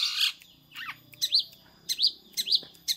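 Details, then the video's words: Mimicking a prinia, a long-tailed shrike gives a harsh opening burst followed by a series of high chirps that rise and fall, repeated at irregular intervals about half a second apart. "Burung Cendet / Pentet gacor rasa prenjak"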